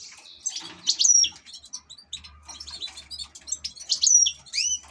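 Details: European goldfinch, an ornamental cage bird, sings jangling twittery phrases with a sharp high whistled note heard twice, about three seconds apart, mixed with buzzy trills and liquid rising slurs.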